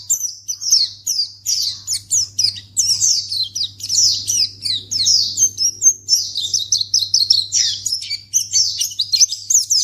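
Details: Long stretch of white-eye (pleci) calling used to coax any untamed white-eye into responding: quick strings of high, downslurred chirps and twitters, pouring out nearly nonstop, with a steady electrical hum behind.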